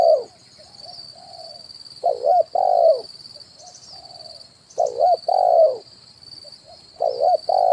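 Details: Spotted dove coo used as a decoy for luring wild birds, "kuk 1" type: repeated soft hooting phrases, quieter lead-in notes then paired stronger coos, every two to three seconds, with a constant high-pitched background hum.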